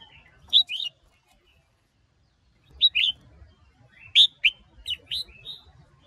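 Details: A female stirs a male red-whiskered bulbul into song: loud, sharply slurred whistled phrases of two or three notes, spaced by pauses, and a short faster run near the end, over soft low background noise.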